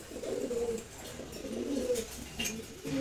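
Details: Pair of Silver Gola pigeons kept indoors, cooing in repeated low, rolling bursts, roughly three phrases with short gaps, light tapping sounds in the background.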